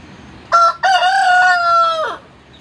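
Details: Shamo fighting rooster crowing: a short loud opening burst, a brief break, then a long steady, harmonic-rich crow held for over a second before dropping away, with only a faint hum of background noise.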